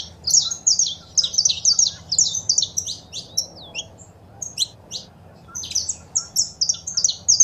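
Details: Saffron finch song with female calls for stimulating a pet bird: fast strings of high chirps, a drawn-out falling whistle, then more sharp notes in rhythmic bursts.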